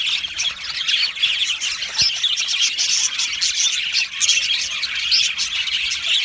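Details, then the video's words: Colony of Australian budgerigars, loud mixed chatter of squawks, chirps and warbles from many birds overlapping, with one sharp click near the two-second mark. "Budgie colony sounds | Budgie singing and chirping sounds"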